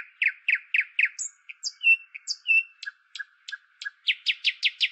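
An Indian nightingale sings a lively, high-pitched song: runs of rapid repeated chirps, about four a second, broken by clear whistled notes and short sharp accents.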